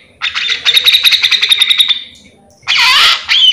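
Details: Grey-cheeked bulbul singing full gacor, intended as a tutor or lure recording for its own kind; a rapid pulsing buzzy trill lasting nearly two seconds, then a quieter gap and a loud harsh, rasping burst.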